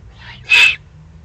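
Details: Juvenile Eurasian eagle-owl, excited, Eifel, 21 June 2020. A soft wheezy hiss leads into one loud, grating, drawn-out rasp of begging.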